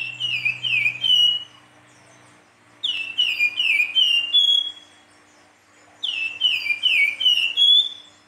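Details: Silver-eared mesia singing actively in the fluting style called nyuling: three phrases of four to five clear, slurred whistles stepping downward and ending on a longer level note, each phrase repeated about every three seconds with short pauses between.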